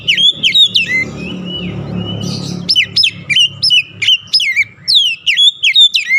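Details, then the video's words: Oriental magpie-robin lure song for stimulating quiet birds to sing: a fast run of sharp, sliding whistles and chirps, a short buzzy break midway, then rapid repeated notes about three per second, with a soft low hum beneath. "KICAUAN PEMIKAT DAN PERANGSANG BUNYI | Kacer stres macet bunyi langsung gacor"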